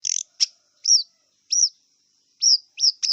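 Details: Wild long-tailed shrike singing: short bright chirps and upward-hooked whistled notes near high pitch, spaced irregularly about every half second, with a faint steady high tone running underneath.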